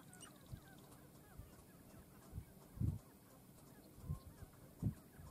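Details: At a sharp-tailed grouse dancing ground, low hollow pulses come about four times in five seconds, deep and brief, over faint distant chatter.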